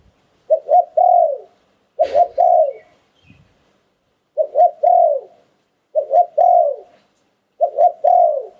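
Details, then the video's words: Regular cooing phrases from a spotted dove, 'liu tan' song style, five phrases each ending in a long falling coo, one marked by a sharp knock, spaced about one and a half seconds apart. "หลิ่วตัน คารม นกมงคล เสียงนกเขาใหญ่"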